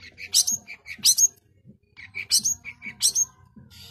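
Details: Long-tailed shrike singing in full, tightly packed phrases: short mid-pitched chirps alternating with loud, harsh high bursts, two groups separated by a brief pause.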